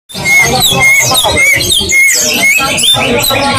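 Greater green leafbird singing a busy, varied run of high whistles, slurred notes and chatter, almost two phrases a second, with faint background murmur.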